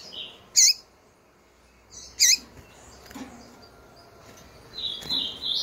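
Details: Female Double-collared Seedeater calling often to stimulate males: two strong, sharp chips roughly one and a half seconds apart, a few softer low ticks, then high twittering at the end.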